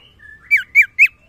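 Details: Common iora calling to females: a soft, thin drawn-out whistle leads into three loud, buzzy downward-sliding notes spaced about a quarter second apart, then silence.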